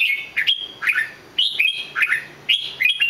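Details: A red-whiskered bulbul sings short, looping whistled phrases. Each phrase has a quick upward flick and a chirpy warble, and they come about twice a second.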